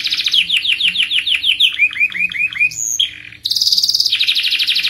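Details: Canary in rolling song, a long performance used to prompt other canaries. Rapid descending notes come first, then lower looped whistles, and finally a fast high rolling trill.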